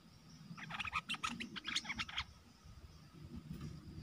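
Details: Caged red-whiskered bulbul used as a decoy for luring wild birds, 12 September 2021: a rapid chattering run of bright, varied notes lasting about a second and a half, then quiet with low rumbling background and a thin insect whine.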